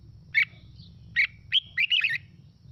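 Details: Red-whiskered bulbul song meant to spur other birds to sing back. Two separate clear chirped notes are followed by a quicker run of three or four warbled, whistled notes, all over a constant low electrical hum.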